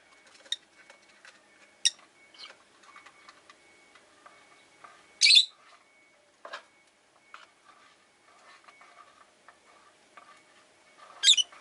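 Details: Pet Rosy-faced lovebirds in a windowside cage, five birds, give scattered sharp chirps and two louder harsh screeches, amid light clicking and soft chatter.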